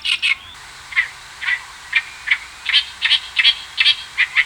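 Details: Oriental reed warbler spring-to-early-summer song: a loud, harsh string of grating, chattering notes, about three a second in uneven bursts, over a faint low hum.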